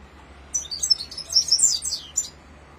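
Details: Red-fronted serin, known as Himalayan finch, delivering a single rolling song phrase of rapid, high, tinkling twitters and trills lasting about two seconds.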